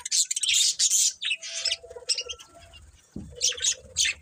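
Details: Budgies chattering with dense, scratchy high chirps and squawks packed tightly at first, then fading into a quieter stretch with a low thump before sparser chirp bursts return.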